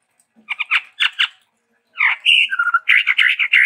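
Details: Chestnut-rumped babbler, endemic to Sumatra, giving varied song: two harsh chattering bursts, a pause, then a sliding whistled note dropping lower followed by rapid repeated buzzy notes.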